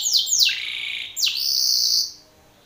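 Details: Male Belgian canary singing strongly toward a rival male: a few sharp downward-swooping whistles followed by a sustained high buzzy note that ends in quiet.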